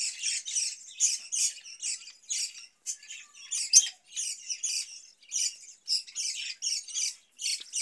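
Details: Budgerigar kept caged in summer and fed cucumber gives short raspy squawks and chirps in separate bursts roughly every half second, with brief silences between groups.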